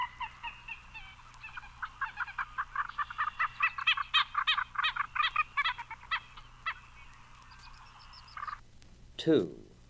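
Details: Common Gallinule, among songs of eastern birds, gives a long run of harsh, hen-like clucks that speed up, then slow and trail off, followed by a brief descending squeal.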